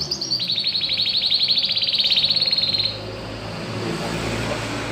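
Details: Domestic canary, a new household bird being trained to sing, producing a rapid rolling trill of evenly repeated notes for nearly three seconds before falling silent over steady background noise.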